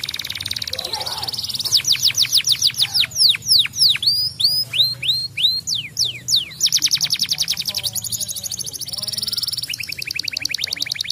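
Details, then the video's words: Canary song used to stimulate other canaries to sing: loud, fast series of high whistled upward and downward sweeps, then rapid buzzy trills repeated at a steady pace, with faint background hum. "o mito do canário amarelo cantando para estimular o som dos ingredientes das aves"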